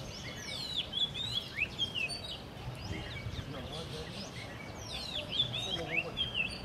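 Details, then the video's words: Rose-ringed parakeets in morning activity give a busy stream of sharp, shrill screeches and chattering notes in bursts over a low background rumble, before flying off. "Rose Ring Parakeet Morning Activity, मिट्टू / तोतो की सुबह की हलचल"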